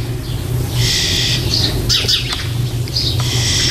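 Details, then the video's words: Starling young in a nest box, nearly ready to fledge, 4 May 2014: a few long, hoarse hissing calls broken by short scratchy notes, against a steady low hum. "Stare (Sturnidae) verlassen bald ihren Nistkasten"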